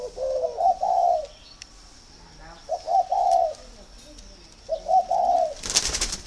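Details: Spotted dove calling in a northern Vietnam bird garden, showing readiness for pairing: three low, rolling coo phrases roughly two seconds apart, each a brief note then a drawn-out coo, ending with a sharp rustling clatter.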